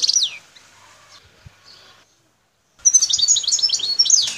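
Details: High twittering phrase from a wild Algerian goldfinch, parva form, in Bouthelja near El Tarf. After a near-silent gap it resumes with quick tinkling notes and slurred whistles.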